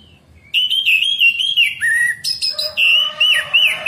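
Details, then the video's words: Loud, continuous morning song of an orange-headed thrush, used to stimulate caged birds to sing. Sustained ringing whistles with quick warbles and trills, shifting between higher and lower notes without a break. "terapi Anis merah ngeplong pagi pancingan anis merah macet bunyi masteran anis merah cepat bunyi"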